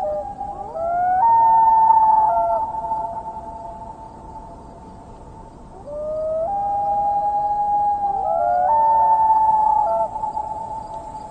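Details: Common Loon, one of a pair, giving a long mournful wail at dusk on a glassy lake, meaning I'm here, where are you; two drawn-out tonal wails, each rising then holding a steady pitch, over quiet background.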